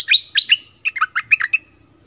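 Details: Bulbul used as a decoy bird in southern Thailand pours out a chattering, bubbly phrase of loud, clear notes, first higher and then lower, in uneven groups.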